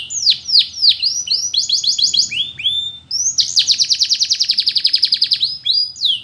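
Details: Russian canary training song with sweeping falling whistles, a choppy trill, slurred notes, then a loud fast trill of about twenty pulses ending in a whistle.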